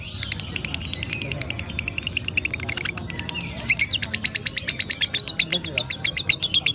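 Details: Lovebird in ngekek song, a chattering stream of sharp high clicks and buzzy notes that grows louder and more regular in its second half, forming a rapid pulsed trill over faint low room noise.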